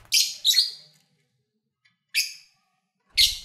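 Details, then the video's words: Pet lovebirds, kept by owners, calling while eating and playing: sharp high chirps, a double chirp near the start, then two more bursts spaced about a second apart, with short pauses between. "1 Hour Lovebird Sounds"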